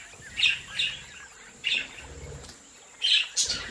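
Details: Captive budgerigars bred at home chirp in short, bright, separate bursts, about five calls in under four seconds, with faint low background noise between them.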